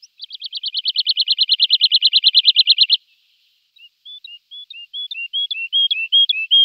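A lark sings a fast, even trill of about twenty high notes, then a pause and a series of clear, paired whistled notes that rise and fall.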